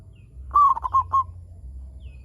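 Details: Local zebra dove singing to draw other zebra doves into calling: a single phrase of four or five fast, slightly trilled coos, level in pitch, over faint low background hum.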